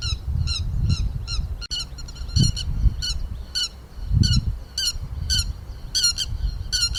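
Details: Calls of grey-headed lapwing played as a trapping lure: sharp, bright squawking notes repeated every half second or so, some paired, with low thumping bursts and background rumble beneath.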